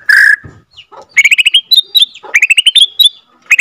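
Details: Borneo white-rumped shama, F2 captive-bred, singing its long rolling song to rouse other shamas. A loud whistled note is followed by quick bursts of repeated, rising, sharp notes, grouped in short runs with small gaps.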